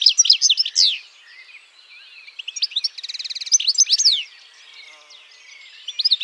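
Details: European goldfinch singing bright, tinkling twitters interspersed with a fast buzzy trill, delivered in bursts separated by brief quiet gaps.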